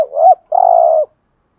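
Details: Spotted dove giving a decoy coo in the thúc gù style, used to make wild doves call back: a short rising-and-falling note, a brief gap, then one long buzzy, finely pulsed, level coo about half a second long. No other sounds.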